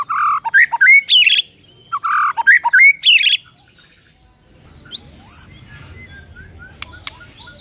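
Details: White-rumped shama song aimed at making a rival shama sing: two loud bursts of varied whistled and harsh notes, a pause, then a high drawn-out rising whistle and faint chips.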